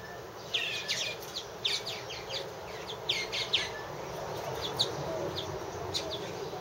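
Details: Purple martins at one of three nest houses, 2014: bursts of short, bright chirps and creaky twitters in loose clusters, several birds calling over a steady background hiss.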